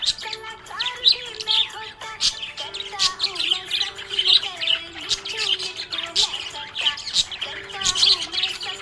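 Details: Cheerful budgie chatter: busy, fast high-pitched chirps and short twittering phrases pouring out without pause, set against quieter background music with held notes.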